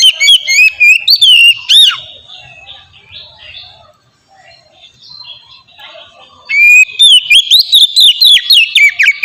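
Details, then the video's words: Oriental magpie-robin singing, a lure for other magpie-robins: bursts of fast whistled swoops and slurred notes at the start and end, with a quieter stretch of softer warbling between. "suara burung kacer ngeplong merdu sangat ampuh buat pancingan kacer bahan bikin cepat gacor"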